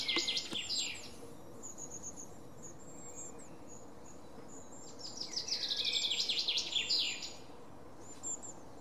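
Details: Long-tailed tit, recorded 5 May 2019, uttering two bursts of fast, rattling, twittering trills, one at the start and a longer one midway, separated by thin high squeaks, with a constant low hum behind.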